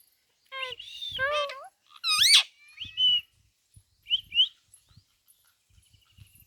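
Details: Pet Indian green parrot mimicking words with its owner: a few short nasal, warbling utterances and a sharp rising squeal, then quieter chirped notes between silent pauses.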